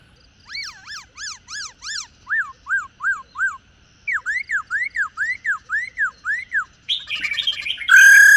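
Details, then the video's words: Female black-throated laughingthrush used to excite caged males: series of arched whistled notes repeated about twice per second, a short pause, then a faster run of rising-falling whistles ending in a harsh burst. "Tiếng chim Khướu Mái"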